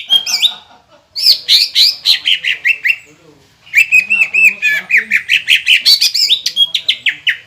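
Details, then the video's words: Green leafbird song meant to provoke other birds into singing: loud bursts of harsh, slurred whistles and squawky notes in rapid series, a short silence, then a long run of descending whistled notes with mimicry-like chatter. "PANCINGAN CUCAK IJO GACOR INI MAMPU BIKIN EMOSI LAWAN CUMA HITUNGAN DETIK"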